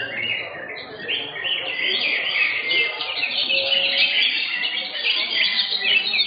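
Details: Green leafbird competing in a bird singing contest, session 15 third place: continuous busy twittering and tumbling phrases, many overlapping birds and crowd voices in the background.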